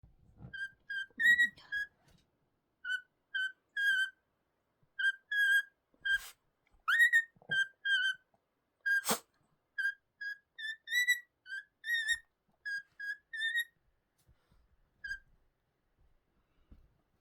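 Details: A pet cockatiel sings to its owner, a string of clear whistled notes, steady and repeated with a few rising slurs.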